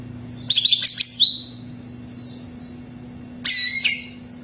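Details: Greater green leafbird, sounded to coax another bird into song, delivering two loud bursts of quick chattering whistles about three seconds apart, amid faint background chirping and a steady low hum.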